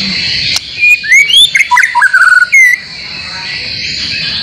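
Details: White-rumped shama song used to lure caged birds into singing, mixed with other birds' phrases: a short burst of sweet rising whistles and quick chattering notes, then a steady background hum.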